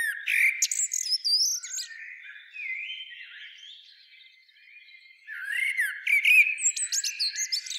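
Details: Common blackbird song: mellow fluted phrases that slide and warble through the middle range, each opening or closing with thin, high twittering squeaks. A quieter, drawn-out stretch falls between the louder passages.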